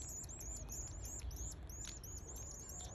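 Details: Eleven-day-old canary chicks during a feeding frenzy, calling nonstop with sharp high-pitched arched cheeps repeated several times a second, the notes crowding together over a constant low background rumble.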